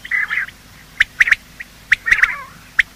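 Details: Male and female quail morning calling, sounds used to hunt quail: a rough chattering phrase, then spaced sharp clicking notes in twos and singles.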